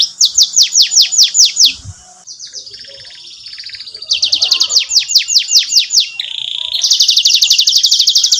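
Canary song in fast repeated tours: bright descending chip trills, a buzzy rattling stretch, then rapid high rolled notes, all loud and continuous.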